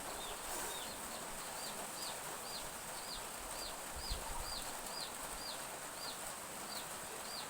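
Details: Young chickens in a village backyard on a drizzly morning give clear, high arched peeps at a steady pace of about two per second. Soft rain hisses continuously underneath, with a brief low thump midway.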